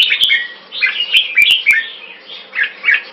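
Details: Red-whiskered bulbul competing in song in Singapore, on a first victory: a few quick, slurred, downward-bending chirps in close succession, punctuated by sharp clicking sounds.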